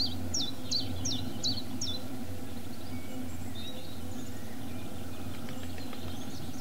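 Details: Common chiffchaff singing in Barrington, Somerset, in April 2013: a quick run of about five high, alternating chiff-chaff notes, then fainter notes, over a steady low rumble.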